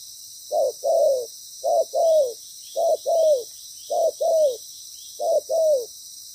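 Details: Spotted dove used as a loud-voiced decoy during ground trapping, with a good patterned call. It gives five paired coos, each a short note followed by a longer, slightly falling note, the pairs coming about once a second against a quiet background.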